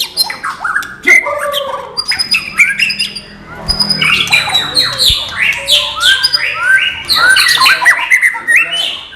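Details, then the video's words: White-rumped shama in the non-puffing style, singing a busy stream of sharp clicks, downslurred whistles and fast rising and falling notes that grow denser toward the end. "MATERI BURUNG MURAI BATU NON GELEMBUNG"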